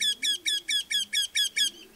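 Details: A Eurasian wryneck gives its loud, penetrating call: a fast series of eight nasal, ringing notes, about four per second, evenly spaced and strong, over a faint low hum.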